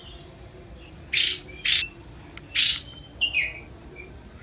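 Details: Short burst of Sunda robin (tledekan gunung) song: several loud harsh buzzy notes over a thin high whistle, then lower descending whistled notes.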